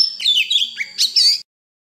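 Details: Oriental magpie-robin giving 'forest voice' song used to coach young birds and prompt wild-caught birds to sing: about a second and a half of rich, varied warbling with quick whistled slurs, rising and falling high phrases, then silence.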